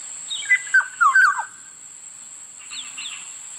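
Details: Black-naped oriole delivering a brief burst of liquid descending whistles, followed by a couple of faint thin higher notes, over a constant high-pitched hum.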